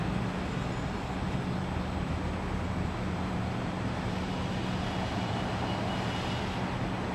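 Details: Constant loud traffic or engine rumble with a steady low hum, and no animal calls.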